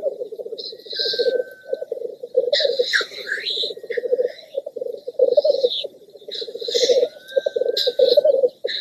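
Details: Black grouse males displaying at a lek to watching females (greyhens): a continuous low bubbling rookooing chorus, with loud hissing sneeze-like calls and thin whistled notes rising above it at irregular intervals.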